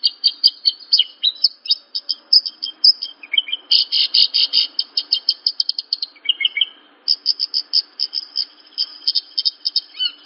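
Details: Horsfield's bush lark song used as training material for young larks: rapid, dense run of high chirps and short buzzy trills, some notes dropping lower, delivered almost without pause and broken by brief gaps.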